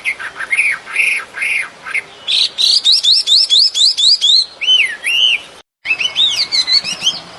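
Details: Bird singing in nature: three arched whistled notes, then a rapid series of crisp upswept chirps. Looping, rising-and-falling whistles follow a short break.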